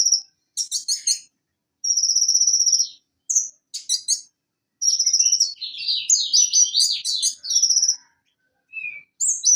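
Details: Van Hasselt's sunbird (konin, Leptocoma sperata), a tutor recording meant to get a silent konin singing again: high, thin chips and fast buzzy rattles alternate with sustained trilled notes and a tumbling run of rising and falling twitters.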